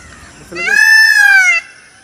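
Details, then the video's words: A single long, loud, strongly harmonic wail from an Indian peafowl, about a second long and held fairly level, opening with a lower rough note. "peacock's sound"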